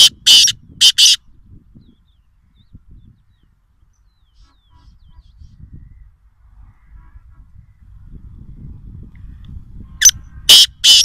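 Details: A black francolin at Nawabshah, Pakistan, gives two bursts of its call: three loud, grating, high-pitched notes at the start, then a quiet gap with low rumble, then another harsh three-to-four-note phrase at the end.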